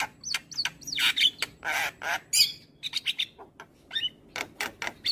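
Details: Morning song of a white-eyed jalak kebo (Javan myna), used to train and provoke other birds to sing: quick upslurred whistles mixed with loud rasping bursts and sharp clicks in an irregular, chattering sequence.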